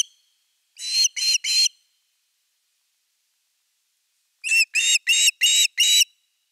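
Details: Osprey at the nest on 30 August 2021, evening fish. Two bursts of piercing, whistled notes, three then five, are separated by a quiet stretch of about three seconds.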